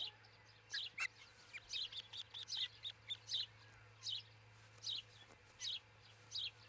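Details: An osprey at its nest in Charlo, Montana, on 22 June 2018 around 04:50–05:50 in the early morning, gives short, high, whistled chirps in quick bunches, about one a second, over a steady low electrical hum.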